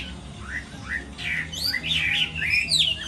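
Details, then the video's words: Short burst from a Chinese hwamei in a moult-season singing contest: a few upslurred whistles, then a louder tumble of clear, swooping notes. "Họa mi hót đấu mùa thay lông"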